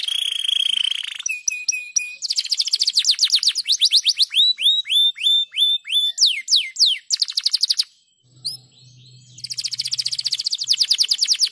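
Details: Canary singing a stimulating song for other canaries, a long varied sequence of rapid trills, repeated sweeping whistles and chattering tours, broken by a short silent gap with a faint low hum before a fresh fast trill.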